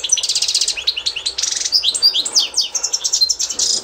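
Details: Teaching song from an authentic Constantine goldfinch (European goldfinch), 2024. Crisp repeated trill bursts alternate with sharp chirps and short whistled notes, each phrase clearly separated, all bright and high-pitched.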